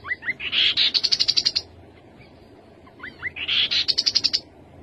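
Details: Rufous-capped babbler singing twice: each phrase opens with two rising whistles and a buzzy note, then races into a fast string of about eight high piping notes. The phrases are about three seconds apart.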